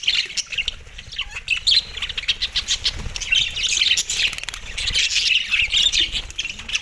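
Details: Budgies chatter over soft food on December 4, 2023. A crowded mix of warbling, squeaky chirps and scratchy notes runs without pause, with a faint wing-flutter sound around the middle.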